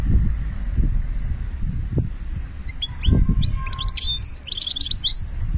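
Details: Song of a European goldfinch in Algeria starting after a quiet stretch: bright, fast twittering phrases with clear whistled notes and short buzzy trills in the second half, low thumping background noise throughout.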